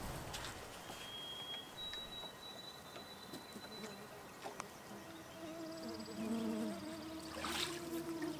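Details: A White-throated Sparrow whistles a clear, pure song, one lower note then a step up to long steady high notes, in the Wabakimi wilderness of Ontario on a hot, humid day. Insects buzz and a man talks later.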